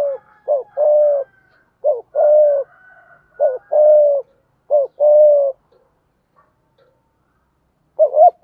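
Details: Spotted dove in the thúc gù lure style to draw wild doves: a steady run of short coo-then-long-hoot pairs, about four in a row, a pause, then another double coo.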